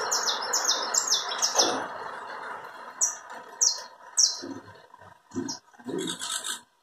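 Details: Saffron finch (canário da terra) song of the chapinha carritilha kind: a fast run of high falling notes for under two seconds, then a few isolated notes and some lower knocks and rustles.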